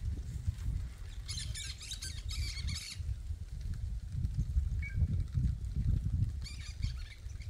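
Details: Cactus parakeets in the Caatinga scrub of the Brazilian sertão, courting: bursts of harsh, rapid, repeated squawks, one near the start lasting over a second and another toward the end, with a short chirp between, over steady low wind rumble.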